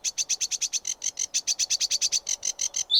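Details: Sedge warbler song made of a steady, rapid chatter of short, high, scratchy notes, about seven per second, ending in a brief thin whistle.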